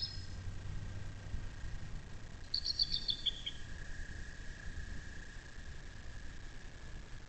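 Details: Nest-cam recording of a bald eagle at its nest on the Little Miami National Wild & Scenic River, southwest Ohio, while chicks hatch; one short burst of thin, rapid, descending chitters near mid-clip, faint against constant hum and low noise.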